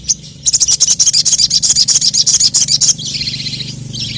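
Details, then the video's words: Agitated crested jay (sogon) calling out rivals, giving a long, fast, evenly pulsed high rattle of about twenty beats over two and a half seconds, followed by a softer, lower buzzing tail. "KICAU SOGON GACOR EMOSI MEMANGGIL LAWAN"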